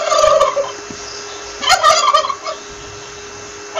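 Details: Turkey calling with two quick, bubbling gobbles, the first brief and the second fuller and louder, followed by a quiet pause.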